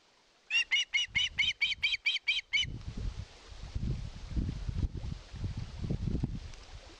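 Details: Osprey begging for fish at its nest, live nest camera, Satakunta, Finland, 2022: ten quick, piercing, high chirps over two seconds, then loud low rumbling and buffeting noise fills the rest.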